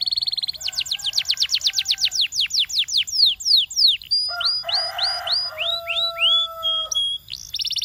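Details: Canary, properly trained, sings a steady buzzy note, then a quick series of descending slurs, rising whistled phrases over a low humming tone, and a final rapid trill.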